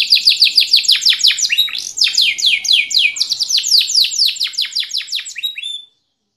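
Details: Canary singing a lively, prize-performing song: rapid trills of steep descending sweeps, repeated several times a second in shifting tempo, high and bright, ending abruptly.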